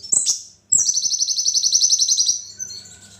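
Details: Sunbird known as kolibri ninja singing its 'spicy' material: a short high chip, a brief pause, then a long rapid high-pitched trill of evenly repeated notes lasting nearly two seconds before fading, with a soft low hum behind.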